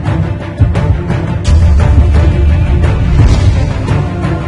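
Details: Loud, bass-heavy music with rhythmic beats plays throughout, and no birdsong is heard.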